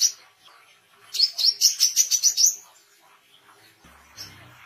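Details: Oriental white-eye in full song for songbird tutoring and attracting wild birds: one run of about eight quick, shrill chirps climbing slightly in pitch, then near silence with faint scattered notes.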